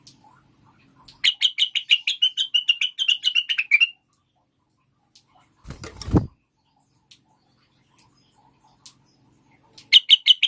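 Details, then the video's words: Cucak wilis, a leafbird, heard in a recording made to coax caged birds into song: a quick chattering series of short buzzy notes lasting almost three seconds, then a loud knock, scattered ticks and a new burst of notes. "pancingan burung cucak wilis\ rengganis supaya cepat gacor"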